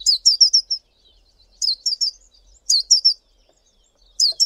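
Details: Calls of a male Collared Sunbird: quick strings of piercing high twittering notes, up to six in a row, separated by brief pauses in an otherwise quiet setting.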